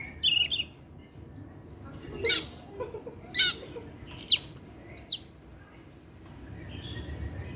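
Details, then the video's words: Caged Oriental magpie-robin singing in the evening: a harsh buzzy phrase, then four spaced sharp downslurred notes about one second apart, with quiet background between. "pancingan suara kacer , Opus setiap sore ngeplay dan keluar materi"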